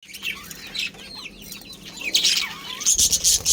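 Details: Breeding pair of budgerigars chirping: quick warbled, twisting high notes and chatter, with brighter squeaky bursts toward the end and a faint low hum underneath.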